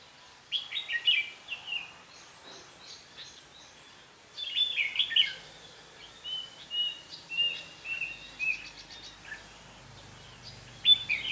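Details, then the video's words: Red-whiskered bulbul used as a decoy during trapping sings in clustered bursts of sharp chirps and short whistled slurs, with a quiet gap around three to four seconds and faint background hum. "Bẫy chim chào mào bông lau"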